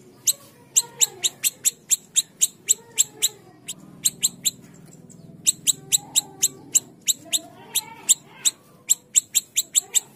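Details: A small siri-siri bird gives sharp, very high chips in a steady run, about three a second, with a brief pause midway and a faint low murmur behind, played as a lure to prompt others to sing.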